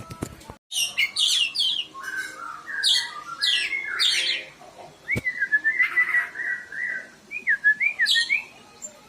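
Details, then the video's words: Kacer, the oriental magpie-robin, used as a lure to get lazy birds singing: a fast burst of high chattering notes followed by clear, lower whistled phrases with wavering, looping notes. "PANCINGAN KACER MALAS BUNYI...DI JAMIN BUKOR"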